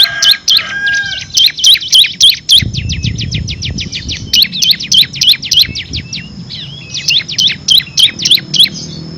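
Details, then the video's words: Bar-winged prinia giving long 'ngebren' song with six variations, used to train prize songbirds: runs of sharp high chirps, roughly three to four a second, in several bursts separated by short pauses, with low rumbling noise. "FULL NGEBREN‼️ CIBLEK KRISTAL GACOR ISIAN 6 VARIASI COCOK UNTUK MASTERAN BURUNG PRESTASI"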